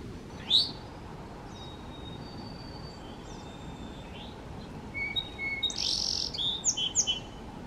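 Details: Eastern towhee foraging on the ground in a backyard in the mountains of North Carolina in the morning: a sharp high upslurred note, then faint thin whistles and a cluster of higher whistled notes near the end over steady background hum.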